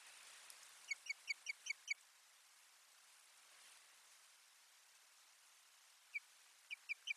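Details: Osprey at a nest on 1 May 2020, recorded by a live nest camera while nest lining is brought in; a short burst of five clear whistled notes, a long quiet gap, then a second brief series, over steady background hiss.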